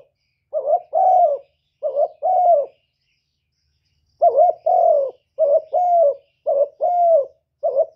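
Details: Decoy spotted dove giving gáy gù cooing used to stir up other doves: mellow low coos in short two-part phrases, each a brief note then a longer falling coo, with a silent pause midway, clean background.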